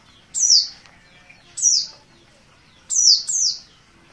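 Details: Merapi oriental white-eye, an untrained bird, calling insistently in 'ngotot' style: thin, high, falling chips, single then a quick double at the end, over a quiet background.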